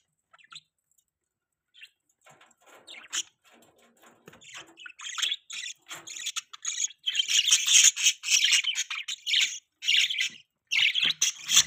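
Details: Budgerigars chirping, pet birds: after scattered faint clicks and rustles, a dense run of harsh, buzzy, warbling chirps builds up, overlapping and continuous through the second half.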